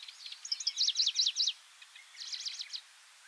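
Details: Styan's grasshopper warbler on Miyakejima, recorded about 20 years ago, singing from atop low pine shoots: two short, high, rattling phrases of quick chirped notes, the second softer, against faint background hiss.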